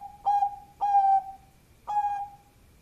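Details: Bangkok zebra dove giving a lure call: three loud, pure, steady coos of even pitch. The second coo is the longest, and a short pause comes before the third. The background is quiet.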